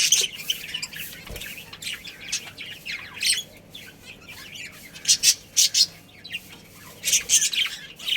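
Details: Budgerigar colony kept as pets, chattering with uneven high chirps and squawky notes, building to a quick series of loud sharp chirps toward the end.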